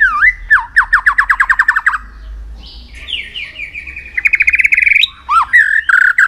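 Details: White-rumped shama singing as training for contests: fast trilled series of slurred notes repeated many times, a pause, then further quick rattling phrases and looping whistles.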